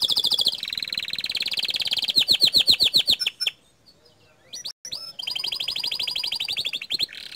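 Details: Canary pouring out gacor dor song: continuous high rolling trills, a short pause broken by a few clicks, then another long, fast trill.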